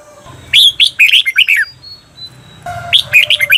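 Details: Cage-bird training song from a red-whiskered bulbul: a dense, tumbling phrase of quick warbled whistles, a faint thin tone, then another rapid phrase beginning, low hum underneath.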